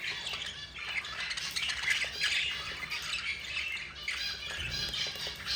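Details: Four young budgerigars begging while their yellow mother feeds them; steady rasping, buzzy squawks pour out without pause, swelling and fading in uneven waves, with a brief low thump near the end.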